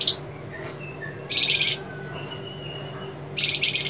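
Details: White-rumped shama, a master recording in the sharp 'besetan' style. A shrill note is followed by thin whistles, then two loud buzzy pulsed trills separated by a long level whistle. Steady low hum throughout.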